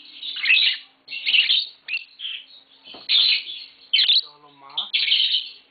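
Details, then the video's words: Green Fischer's lovebird pair at home, mating, with young birds present; loud grating chirps come in uneven bursts about once a second, mixed with thin squeaky notes. "Lovebird Singing & Chirping Sounds - Green Fischer Pair"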